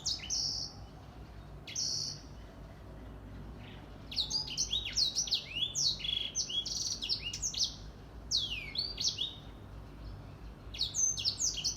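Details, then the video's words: Grey singing finch, locally called Edel Sanger, singing vigorously in the morning: bursts of high, sweet warbled phrases with quick rising and falling slurred notes, broken by short pauses, then a long lively run of twittering notes over a faint low hum. "Grey Singing Finch / Edel Sanger Bird Singing / Gacor di pagi hari"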